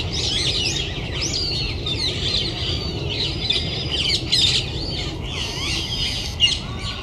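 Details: Rose-ringed parakeets leading a mixed parakeet flock of an estimated 1000 birds, descended from escaped pets, entering their winter roost in a Japanese city. Dense, overlapping shrill screeches and squawks run continuously throughout, with harsh calls rising above the chorus.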